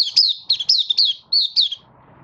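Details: Malaysian Oriental white-eye, a caged bird starting to sing, building form in a minor moult, 24 August 2023: one brisk phrase of high, sweeping, slurred twitters lasting under two seconds, then faint low hum.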